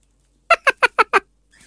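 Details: Lutino cockatiel kept as a pet, giving a rapid run of five short, squeaky chirps evenly spaced about every fifth of a second, followed by a faint rustle.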